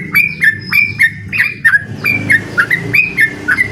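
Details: Yellow-vented bulbul singing to challenge a rival: bright, slurred whistled notes that drop in pitch, given about one and a half times per second, over a low steady hum.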